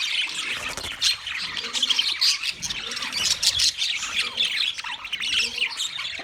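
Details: Wild budgerigars give a dense stream of chirps, trills and brief squawks, the flock's chatter swelling and easing in short bursts without any silence.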